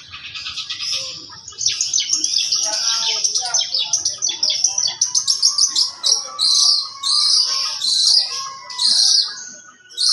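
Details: Varied song of a young long-tailed shrike, praised for its repertoire and style. Rapid twittering mixes with scratchy notes, then gives way to loud, spaced bursts of harsh, high chatter near the end.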